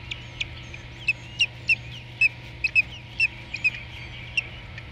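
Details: Osprey at the nest in Savannah, Georgia, 30 March 2017, mid-afternoon: a rapid series of short, high, piercing chirps, roughly two per second, some doubled, over a faint steady hum.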